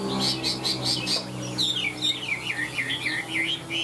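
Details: A caged Chinese hwamei, a large male in good form, sings loudly: a run of repeated high notes, then flowing looping whistled phrases rising and falling, with faint music and a man's voice in the background.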